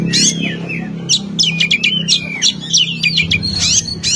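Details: Oriental magpie-robin in full, long-running song meant to provoke and agitate a rival: rich varied whistles, sliding notes and sharp high chips in quick irregular succession, with a low steady hum underneath.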